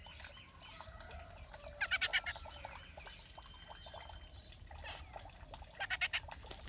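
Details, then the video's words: Young spiny babbler chick giving two runs of about five quick, evenly spaced chipping notes, several seconds apart, over soft hiss and faint twittering from other birds. "Spiny babbler baby bird"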